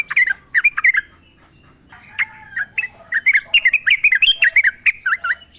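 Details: Wild sooty-headed bulbul, recorded in nature as a lure to prompt caged birds to sing; lively bubbling phrases of short slurred whistled notes, a burst at the start, a pause, then a long rapid chattering run.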